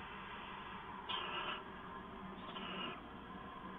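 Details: Owl heard at night on 2 September 2014 around 11:58 PM: two hoarse, hissing screeches, each about half a second, separated by a second of low humming background.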